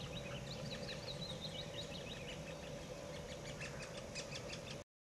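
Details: A female then a male great spotted woodpecker feed their young: a busy run of short, high chirps and chatters, rising in pace toward the end, over a steady low hum and background rumble.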